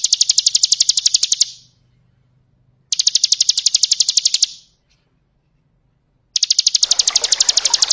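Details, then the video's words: Ngebren-style bar-winged prinia song used to train other birds: three separate bursts of quick, high, evenly pulsed buzzy notes, each about one and a half seconds long, divided by silences, trickling water under the last. "Masteran ciblek ngebren + gemercik air ,cocok buat masteran"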